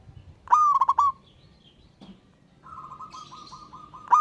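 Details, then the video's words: Zebra dove from the wild calling a rival: one rising phrase of quick stuttered coos, then a steadier drawn-out cooing tone and the start of another phrase. "Burung Perkutut LOKAL Alam Ngayer Memanggil Lawan Ikutan Manggung Gacor"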